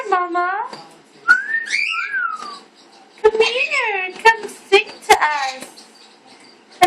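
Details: Cha Cha, a female pet blue-fronted amazon that sings and talks, gives a rising-and-falling whistle, then bursts of nasal, speech-like chatter and sharp clicks in a small indoor room.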